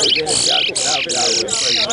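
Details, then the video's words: Chestnut-bellied Seed Finch (brown towa towa) singing fast, bright, high warbled phrases in quick bursts during a timed morning bird-singing race at Sheriff Street bird ground, Guyana, with people talking and counting underneath. "BROWN TOWA TOWA BIRD RACE"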